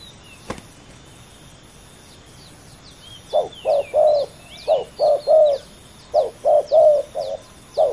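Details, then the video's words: A pair of male spotted doves in a fierce ground contest. Silence and faint high bird chirps for three seconds, then clusters of short, husky coos in rhythmic groups of three. "ต่อดินนกเขาใหญ่ ดุเดือดคู่นี้!!"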